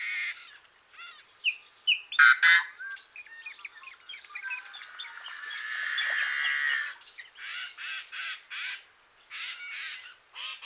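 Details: Yellow-headed blackbird giving a rapid string of short clipped chirps and chucks, then a long hoarse buzzing stretch in the middle, followed by more rhythmic raspy chirps about three per second.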